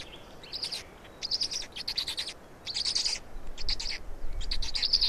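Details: Black storks at a feeding in Estonia, 16 May 2019, 16:58: harsh, hissing squeals delivered in irregular bursts of several notes, roughly one or two per second, over faint background hiss.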